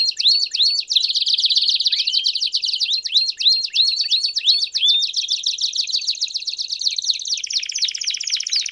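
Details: Canary song used to train young canaries, campainha style with chirps: rapid high trills and buzzy rolled phrases broken by upswept whistled notes, fast-repeating and continuous.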